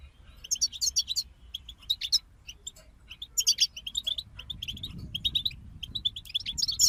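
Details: Several European goldfinches singing together: a steady run of sharp, high chirps and twittering trills in short bursts, with some buzzy slurred notes, continuing with small gaps across nearly seven seconds.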